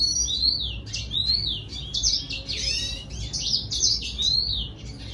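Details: Red siskin song used to attract a female, a continuous run of bright chirped notes with rising and falling sweeps. The notes chain together over five seconds above a steady low hum.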